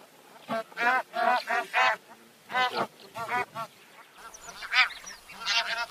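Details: Bar-headed goose (Anser indicus) giving a series of nasal honks in clustered bursts, each with stacked harmonics, pauses between groups, softer higher calls near the end.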